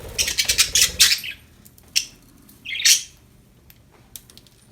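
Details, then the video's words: Happy budgerigars chattering in a rapid run of scratchy high notes, then a single sharp tick and one bright, sliding chirp before quiet background hiss. "Happy budgies chirping sound"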